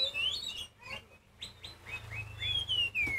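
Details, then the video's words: Oriental magpie-robin (kacer poci) singing a loud, varied song meant to provoke other magpie-robins into loud singing. Bright whistled phrases slide up and down, some rising and some falling, with brief pauses between them. "Kacer Poci Nyusun Lagu ‼️Kacer Poci Diam Pun Auto Nyamber Bunyi Kencang"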